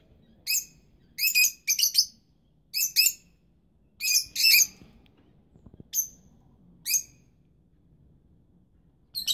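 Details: Rosy-faced lovebirds, young and incubating parents, calling in shrill, high, squeaky chirps, some single and some doubled or tripled, coming every half second to a second, then thinning to isolated notes over a faint low background hum.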